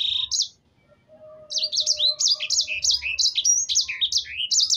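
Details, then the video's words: Lively canary song played as a lure to make birds sing: a short high note, a brief pause, then a rapid run of varied high chirps, slurs and sweeping whistles. A faint steady tone sits underneath. "Pancingan burung sanger gacor agar bunyi"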